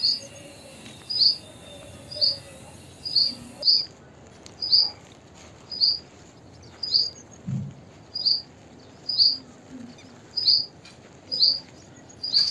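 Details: Juvenile purple sunbird in eclipse plumage calling: sharp high chips repeated roughly every second, steady and evenly spaced, over a faint low background hum.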